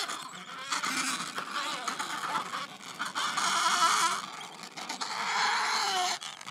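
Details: Adelie penguins squabbling in a colony on the Yalour Islands, Antarctic Peninsula, near a glacier; a dense chorus of harsh, braying overlapping calls with clicks and pecking noises, loud throughout.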